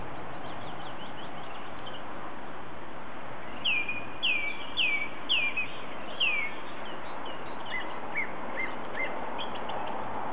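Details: A bird singing against a steady roar of background noise: a run of five clear, whistled notes that sweep downward, spaced about half a second apart, followed by softer short chirps and twitters.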